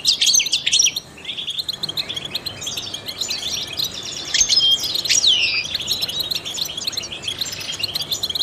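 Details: European goldfinch, a trained singer used to stimulate songbirds, delivers a continuous liquid twitter of high chirps. A short pause comes early, then brighter whistled glides and a sliding downward slur build toward the end.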